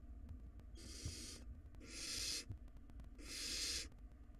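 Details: Barn owl chicks, wild, in a nest box tug-of-war over a very large rodent; three breathy screeching hisses, each around half a second, coming roughly every one and a half seconds over a low rumble.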